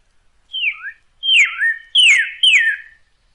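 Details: Northern cardinal song, played for teaching captive birds to sing: a series of clear whistled notes that slide steeply downward, four phrases over about three seconds, with no other sounds.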